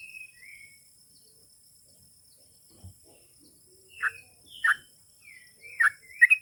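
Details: Sooty-headed bulbul giving a chatty song meant to make other bulbuls answer at once: scattered bright, clear notes, some sliding downward, with gaps between and a tight run of chirps near the end; little background noise.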